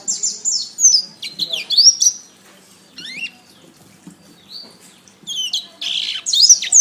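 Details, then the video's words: Training song of a canary: high rapid trills, steep rising and falling whistles and dense rolling phrases, with a short quieter stretch in the middle. "SUARA BURUNG - Masteran Terbaik Kenari"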